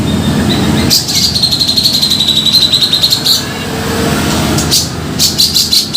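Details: Trapping lure sound of a grey-cheeked bulbul, with harsh rasping notes leading into a rapid pulsed trill lasting over two seconds, then more scratchy bursts near the end, with a constant low hum behind.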